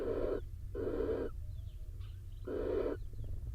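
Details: Wild barn owls at a nest box in Israel: the male, soaked from rain, joins the incubating female; harsh broadband hissing bursts of about half a second, three in a row with short gaps, over steady low rumble.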